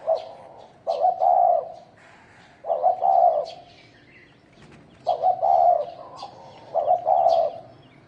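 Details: Field-type spotted dove cooing in a fighting context: rich, throaty doubled coos in spaced bunches every two to three seconds, with sharp high chirps from other small birds scattered throughout.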